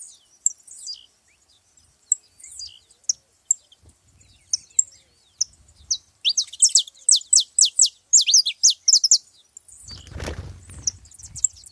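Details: A flock of saffron finches at a feeding spot: scattered high chirps, then a fast, steady series of sharp descending notes about twice per second, followed by a brief rushing noise burst.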